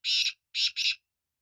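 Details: Part of a black francolin call: one long harsh buzzy note, a brief gap, then two grating notes joined closely together, clear against silence.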